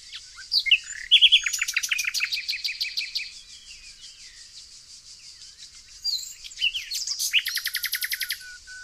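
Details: Nightingale in the evergreen forest country of Tonekabon, Mazandaran province, northern Iran. Sharp notes lead into a long rapid series of repeated clicking chips, a lull, then another quick run of evenly repeated notes ending in a thin whistle.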